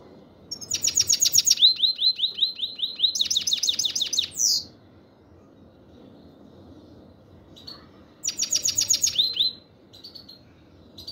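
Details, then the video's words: Black-headed European goldfinch giving two bursts of bright, high, tinkling twitters, rapid chirps run together into liquid phrases, with a quiet pause between bouts. "Щегол чир чир"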